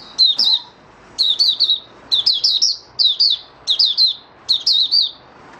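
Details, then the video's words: Oriental white-eye kept in a cage and dewormed monthly, singing on the fifth day afterwards. It gives rapid clusters of two to four high, sweet, downslurred twitters, repeated about once a second, in a quiet room. "Mata Puteh Raja Video 1 buka sing"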